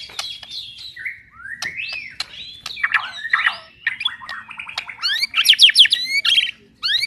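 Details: White-rumped shama (murai batu) of unusual plumage such as albino or pied, singing persistently: a rapid, varied run of whistles, rising sweeps and buzzy trills, with a short pause before a final burst.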